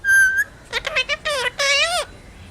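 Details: Talking parrot: a clear, pure whistled note comes first, then a string of voice-like syllables copying human speech, rising and falling in several short bursts and one longer phrase, in a quiet room.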